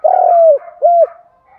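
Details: Spotted dove decoy bird giving its morning calling coo, used to provoke and lure wild doves: a low, mellow hooting phrase of a longer burry coo followed by a short rounded coo, then quiet.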